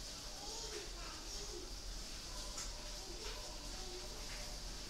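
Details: Caged spotted dove in Ba Vì, Hanoi, northern Vietnam, giving soft low coos in short phrases, several rounded notes rising and falling, over steady room hiss and low hum.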